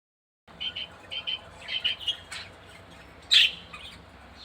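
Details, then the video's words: Female budgerigar during care time giving short bright chirps in quick clusters, then one louder sharp squawked note near the end before a few softer tweets. "female Budgie sounds and care time"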